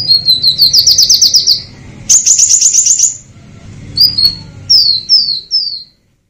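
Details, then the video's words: Purple-throated sunbird singing two long, fast trills of tightly packed high notes, the second pitched higher. Spaced, falling whistled notes follow, each a little lower, before the song stops. "SUARA KOLIBRI NINJA GACOR FULL TEMBAKAN TAJAM"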